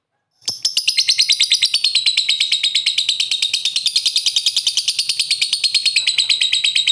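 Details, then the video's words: Long lovebird ngekek chattering meant to prompt a reply: after a short silence, a fast, continuous, rasping trill of rapid pulses runs unbroken for over six seconds with slight pitch wavering. "Pancingan suara burung Lovebird memanggil di lanjut ngekek ampuh bikin nyaut"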